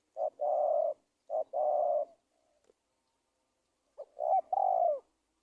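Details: Wild-dove trapping lure of a spotted dove: two quick mellow phrases of a short note then a held coo, a quiet gap, and one more phrase ending in a slightly falling coo.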